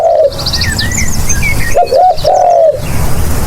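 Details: Spotted dove call for luring: a trailing coo at the start, then one full phrase of two short rising-falling notes and a longer level coo, with high twittering birds earlier on.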